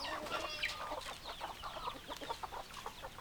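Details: Hens in a flock cluck continuously, with many short overlapping clucks and occasional higher squawks against steady farmyard background noise.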